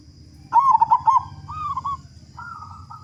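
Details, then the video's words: Zebra dove of local stock with a big voice, played to get other doves singing fast: one loud run of quick staccato coos, followed by two softer, drawn-out wavering coo phrases. "Perkutut Lokal Gacor Suara Besar Pancingan Burung Perkutut Agar Cepat Bunyi"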